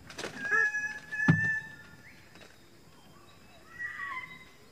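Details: A greater bird-of-paradise (Paradisaea apoda) gives loud, nasal, harmonic calls: a quick burst of notes early on, a pause, then a drawn-out, slightly falling call.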